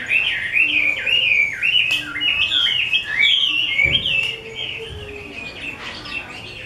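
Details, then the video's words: Artisan-kept Chinese hwamei of the 'mơ' type pours out a loud fluid song of looping whistled slurs, repeated rapidly, then fading to softer notes. "Họa mi mơ siêu vip bộ cực đẹp, hót cực hay của nghệ nhân"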